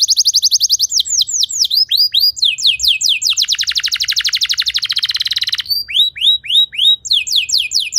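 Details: Training song for prompting other canaries to sing: quick high trills shift into looping downslurred notes, a long buzzy rolling trill in the middle, then more sweeping notes.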